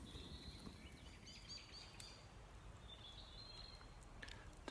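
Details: Faint high chirps and thin whistled notes from small birds, scattered and soft, at night in a planted larch wood on a warm evening beside a campfire, over a steady low rumble of outdoor background noise.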